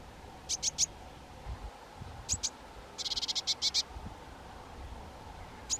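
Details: Scattered groups of high piping notes from two young White-tailed Eagles, including a fast stuttering run of closely packed notes in the middle, with quiet gaps between.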